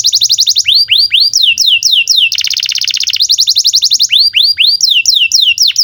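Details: Lively canary song played as tutor for young canaries and for canaries that stopped singing: alternating bursts of curved whistled swoops and a fast dense buzzy trill, steady and loud throughout.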